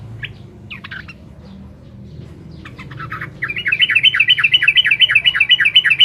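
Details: Lively sooty-headed bulbul song meant to rile up rival birds: a few scattered scratchy chirps, then a loud rapid run of bubbly repeated notes, about eight per second, continuing to the end.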